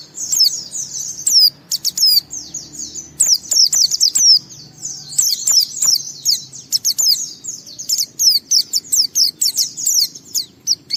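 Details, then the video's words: White-eye (pleci) in extended gacor ngalas song, played to coax other white-eyes to sing; long fast series of high squeaky twitters and downslurred chirps, intensifying into a steady rapid patter in the second half. "Suara Burung Pleci ini Raja Menggoda Semua Pleci cepat Ngalas Ngeplong Gacor"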